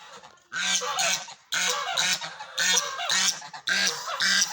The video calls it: Duck 🦆making sound squeaking noise